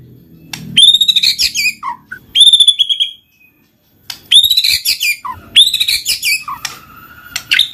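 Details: White-rumped shama song used as a lure for silent birds: bursts of high rising whistles with crackling overtones, each followed by a lower falling note, separated by brief pauses and ending in a long level whistle.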